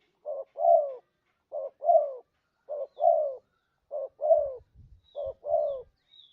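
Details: Spotted dove trapping lure: regular soft double coos, a brief note and a longer descending croon, repeated five times, with faint low knocking sounds toward the end.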